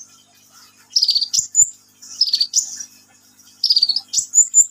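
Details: Vigorous sunbird song made of three short phrases. Each is a high, buzzy, falling trill followed by a sharp upslurred whistle, with pauses of about a second between phrases and faint low taps.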